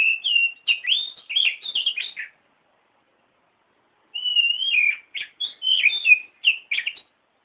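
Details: Song of a white-rumped shama, played to provoke a lazy bird to sing; two rich bursts of rapid whistled and chattering notes separated by a two-second silence, clean background.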